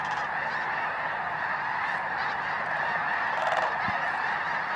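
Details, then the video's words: Snow geese massed at Bosque del Apache NWR in December 2009, sunset and sunrise; steady roar of countless honking birds blending into a continuous chorus, a few louder individual notes rising above it. "Snow Geese Sunset and Sunrise"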